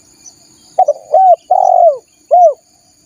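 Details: Spotted dove cooing as a lure for wild doves: a phrase of two quick low notes, a rising-falling coo, a long drawn purring coo, then a final arched coo, with a thin high whine behind.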